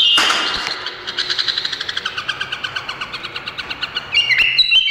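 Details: Indonesian bulbul opening with a loud burst, then a fast, even series of clipped, repeated notes about six per second, closing in a tangle of bright twittering chirps.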